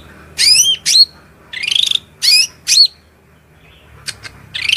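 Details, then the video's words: Sparse, shrill cucak rante song of separate high up-slurred whistles and short trilled bursts, spaced out with quiet gaps. "MASTERAN SUARA MELENGKING CUCAK RANTE GACOR"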